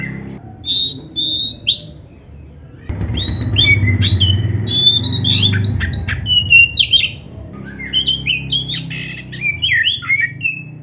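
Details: Singing black-breasted Oriental magpie-robin with a richly varied repertoire, meant to make other magpie-robins excited and answer. Choppy clusters of high whistles, buzzy notes and quick chips come in bursts over a steady low rumbling background.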